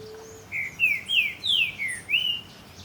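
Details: Green-winged saltator singing at Puerto Iguazú: a clear phrase of about six loud, slurred whistled notes, several sliding downward, delivered in quick succession over roughly two seconds against a quiet natural background.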